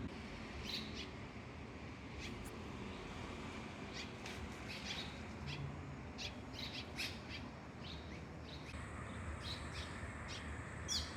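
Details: Red-rumped swallows nesting under a building's eaves in Japan around fledging day in summer give short, scattered high chirps, irregular and brief, over a steady low rumble; one chick left in the nest begged for food.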